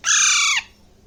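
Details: Baby Alexandrine parakeet, about one and a half months old and hand-fed, in Bangladesh, eating grapes. It gives one loud, harsh, raspy squawk of about half a second, steady and then dropping slightly at the end, in a quiet room.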